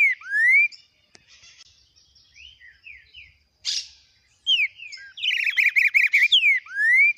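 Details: Warm-up singing of a green-winged saltator, Biro Biro com boi longo style: a rising whistle, soft slurred notes and a sharp harsh burst, then a clear downslur, a fast buzzy trill of repeated notes and a final long upslurred whistle.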